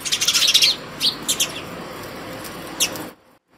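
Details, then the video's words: House sparrows at a hanging feeder at home early in the morning, calling other sparrows to the food: a quick burst of bright, high chirps, then a few scattered single chirps over a steady low hiss. "Sparrow Bird Call other Sparrows for Food in the morning"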